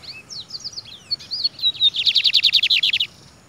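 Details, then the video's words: Free-flying Lined Seedeater perched on a man's head, singing: a jumble of high twittering, slurred notes, then a fast, even run of about sixteen buzzy high notes lasting roughly a second. "bigodeiro solto cantando"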